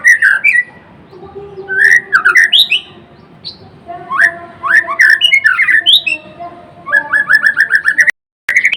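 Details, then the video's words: Blorok-type murai batu in full song: loud, varied phrases of sharp whistles and quick chattering notes in bursts, with a brief silent cut near the end. "Kicauan MURAI BATU GACOR (Murai Blorok gacor)"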